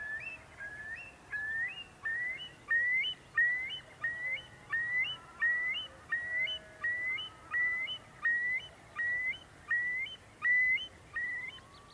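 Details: Eurasian curlew calling in a recording played during a conservation talk: ringing whistled notes, each ending in a sharp upward flick, repeated steadily about every 0.7 seconds for the whole stretch.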